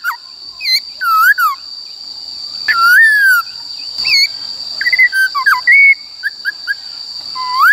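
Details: Black-throated laughingthrush singing a varied wild-style song for voice training: slurred whistles, a long falling note, and scattered short chirps, against a steady high electronic hum.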